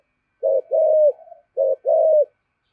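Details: Spotted dove used as a decoy, cooing in the "thổ" voice: two low phrases, each a short note followed by a longer smooth coo, with a faint trailing murmur after the first.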